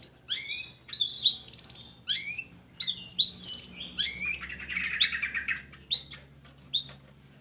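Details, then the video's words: Long-tailed shrike song meant to coax reluctant shrikes into singing, a run of sharp rising chirps with buzzy overtones about once per second, broken by a longer raspy chattering phrase midway. "Pancingan Buat Burung Cendet"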